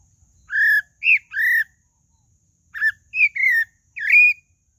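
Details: Pale-breasted thrush (sabiá-do-barranco) sings two clean phrases, each of three or four rounded whistles that arch up and down, with a pause of about a second between phrases.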